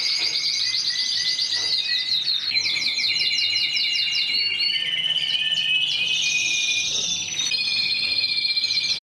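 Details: Mosaic canary delivering a sustained run of rapid rattling trills that switch from one pitch to another, with repeated sharp note bursts and a dense, buzzy, ringing texture.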